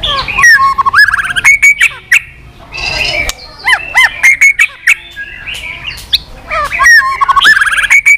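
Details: White-rumped shama with continuous 'tạch' calls, played to rouse weak birds and make them flick their tails: rich bursts of looping whistles, sharp clicks and trills in repeated phrases.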